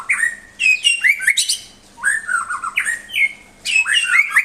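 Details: Tutor song of a white-rumped shama for pet songbirds: three bursts of twisting, slurred whistles mixed with rough chirps, separated by short pauses; faint hum beneath.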